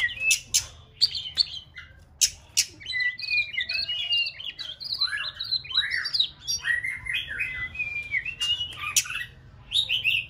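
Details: Young female white-rumped shama, six months old, practising song: a long, rambling medley of quick whistled and chattering notes, varied in pitch, broken by sharp clicking bursts and knocks.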